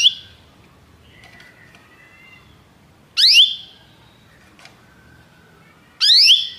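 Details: Belgian canary singing, kept to stimulate other canaries to sing: two loud, bright bursts of steeply descending chirps about three seconds apart, with faint thin warbling notes between them.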